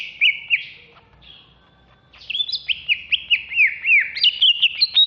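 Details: An agitated (ngamuk) caged greater green leafbird of Alas Purwo stock, kept in Jatiasih, Bekasi, and ready for contests. It opens with sharp whistles, pauses, then pours out a rapid run of bright, down-slurred whistled notes, with faint low background rumble.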